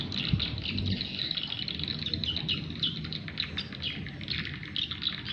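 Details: Behind a house on a cloudy day without rain, swiftlets chirp in a dense, high twittering chorus of many overlapping birds, with a low rumble of background noise beneath.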